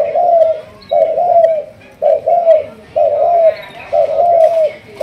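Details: Malaysian spotted dove in decoy training, thúc gù cooing line: loud, low, husky coos in pairs, a short note then a longer falling one, repeated about once a second, with little background sound.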